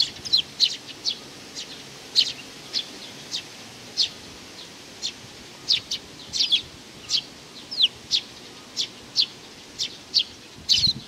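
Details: Young sparrow chirping steadily, sharp high notes repeated about every half second over a long run, occasionally doubled, against a gentle background hiss.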